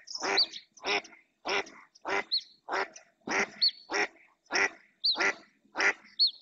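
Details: Female mallard calling insistently in the Doñana National Park marshes, Spain, recorded by a live camera; loud harsh quacks repeated steadily about every 0.6 seconds, with thin high squeaks from other birds between them.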